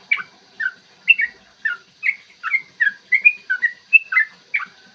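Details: Yellow-vented bulbul in full song, a long rapid 'ropel panjang' style recorded in the morning and used to provoke other bulbuls to sing and fight: quick bubbly slurred whistled notes, about two or three per second, with a steady faint hum behind.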